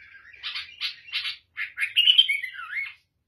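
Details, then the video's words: Black-headed bulbul, Syrian or Lebanese, sings three chunky chirps, a short gap, then a bright rising-and-falling warbled phrase that tails off. "تغريد البلبل البناني أو السوري (الراس الاسود)"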